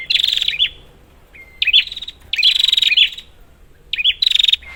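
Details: Prinia lure for prinias that have stopped calling: strong buzzing, rattling phrases separated by pauses of about a second, one preceded by a soft flat whistle.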